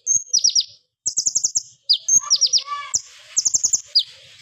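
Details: Energetic plain flowerpecker in the sharp, loud 'AK47 burst' style used as lure material for songbirds: quick strings of high ticks and descending zips, one thin sustained whistle, and a brief lower warbling phrase midway.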